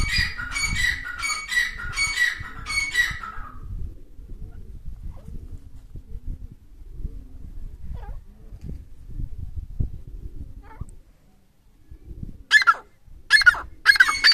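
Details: Wild francolin pair in the breeding season: a burst of loud, harsh, rapidly repeated notes opens, followed by a long stretch of low rumbling background noise, then three more sharp, grating calls near the end.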